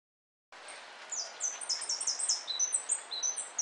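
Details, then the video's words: European goldfinch singing at a 2013 singing competition: rapid high twittering phrases of sharp descending notes and trills after a brief silence, dense and continuous. "Jilguero blanco 2013 El Federal"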